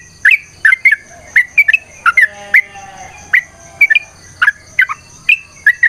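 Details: Lure recording of a 'gacor' yellow-vented bulbul singing a long 'ropel' fighting song: well-spaced, liquid chirping whistles roughly twice a second, each note sliding in pitch, over a faint steady high-pitched hum.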